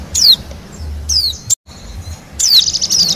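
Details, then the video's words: Song of a wild Bali white-eye for luring wild birds: steep high descending whistles separated by quiet gaps and a brief dropout, ending in a rapid shimmering high trill. "suara pikat dan pancingan bunyi burung pleci bali liar"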